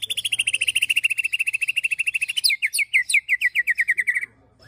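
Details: Excited white-rumped shama ketrekan used to provoke and tutor birds: a long, very fast even rattle of high notes that slowly drops in pitch, turning into a slightly slower chattering series before stopping.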